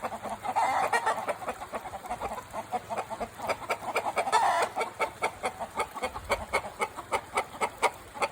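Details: Chickens at the Takumi no Yakata forest aquarium in Japan, heard in the morning: a steady series of short repeated clucks, about two per second, with a busier patch of overlapping calls near the middle.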